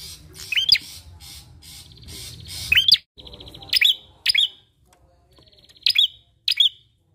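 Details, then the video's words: Bar-winged prinia song played as a lure to get other birds singing. A rough, noisy start gives way to clean, sharp chirp pairs at uneven intervals, separated by quiet gaps. "PANCINGAN PRENJAK KLAWU GACOR!"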